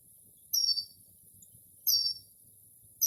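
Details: Early-spring night song of a Northern mockingbird mimicking other birds: thin, very high whistled notes given singly about every one and a half seconds over a soft low hum.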